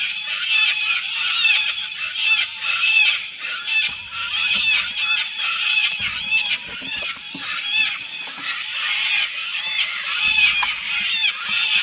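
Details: A crowded wild colony of sulphur-crested cockatoos screeches nonstop, harsh grating calls tumbling over each other in pulses close to once a second, with faint low rumbles beneath.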